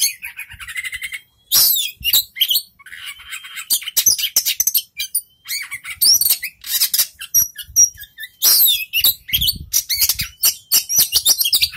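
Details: A young Oriental magpie-robin sings loud, rapid bursts of varied whistles, harsh rasping notes and sharp chips, with brief pauses between phrases.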